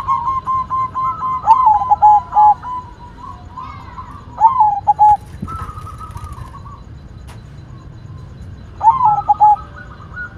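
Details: Zebra dove, white perkutut, repeating its bouncy cooing phrase three times, each a rising note then quick clipped coos, with fainter coos from other birds and an occasional click.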